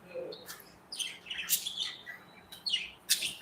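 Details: Budgerigars, kept as pets in a cozy aviary, flitting and chirping: soft high warbling chatter of buzzy, twisting notes in several short bursts, ending with a sharp click-like chirp.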